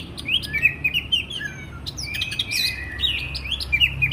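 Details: Oriental magpie-robin (kacer) singing for bird training and therapy, morning and evening: slurred whistled phrases rising and falling around mid-high pitch, brief gaps between bursts, over a steady low background hum.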